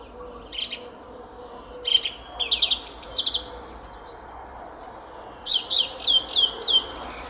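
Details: In a Szalkszentmárton garden at 06:15 on a spring morning, 10 April 2021, a song thrush delivers chattering phrases, then a run of five or six identical sharp descending notes repeated quickly in sequence.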